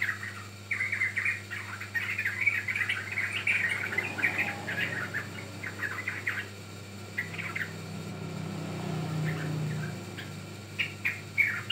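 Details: Young yellow-vented bulbul chattering as bird-training lure material; rapid chirps in the first half, then sparser notes after a pause, over a low rumbling hum.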